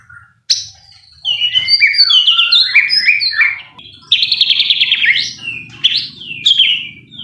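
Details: White-rumped shama singing, used to provoke a shama into emotional song: a quiet opening note, then dense varied warbling with twisting whistles and buzzy phrases, pausing briefly midway.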